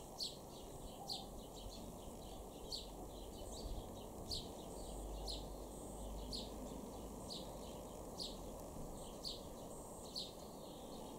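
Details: House sparrows in a garden in Weener, East Frisia, far northwest Germany, in July 2023, give short, bright chirps, roughly one or two each second, over a steady low rumble of distant traffic or wind.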